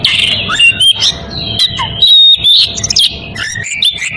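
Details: Oriental magpie-robin in breeding condition calling a rival: loud, varied whistled notes and sharp chirps in quick bursts, with brief high sweeps and short pauses between phrases.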